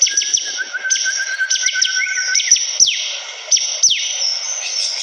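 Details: Bar-winged prinia in persistent song: fast high chirping with long downward-sweeping notes. A lower, wavering whistle threads through early on, over a constant high hiss.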